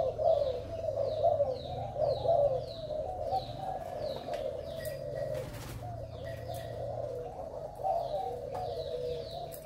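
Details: Vigorous Malaysian-stock male spotted dove kept as a decoy, noted for its fine spotted neck collar. It gives continuous low cooing. Descending high chirps of other birds repeat overhead, with a brief clattering noise midway.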